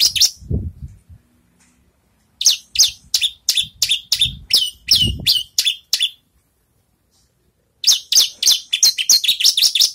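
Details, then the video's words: Horsfield's (Javan) bush lark, just finished molting, in song training: bursts of sharp, high chirps and trills, several notes a second, with a pause between phrases; faint low thumps beneath. "branjangan selesai mabung latih bongkar lagu"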